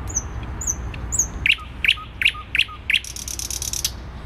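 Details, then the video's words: Singing thrush nightingale in the centre of Warsaw, Poland, 12 May 2020: high thin whistles, then evenly spaced loud clicking notes about three per second, closing with a buzzy rattle over city noise. "Słowik Rdzawy śpiewa w centrum Warszawy"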